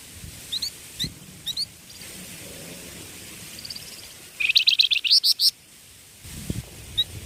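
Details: Young songbird used as a tutor, singing. Single rising high chirps repeat about every half second, then a fast, bright series of clipped whistled notes follows, with a last lone chirp and low rumble behind.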